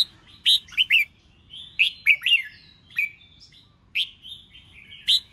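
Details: Red-whiskered bulbul, a bird being stirred to sing in a contest-style session, giving bright warbled whistled phrases in short bursts about every half second to a second, with sharp chattering notes between.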